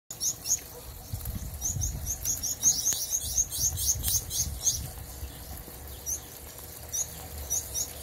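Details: Gouldian finches, several birds in a new backyard aviary, recorded on a phone: thin, very high chirps given in quick irregular bursts, over low rumbling background noise and some fluttering.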